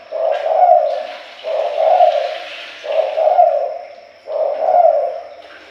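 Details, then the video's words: Spotted dove lure call used to attract birds, a low mellow cooing phrase of two joined notes repeated about every one and a half seconds, four phrases in a row, clear and close with no other sounds. "Pancingan pikat tekukur jamin yang dirumah langsung nyahut."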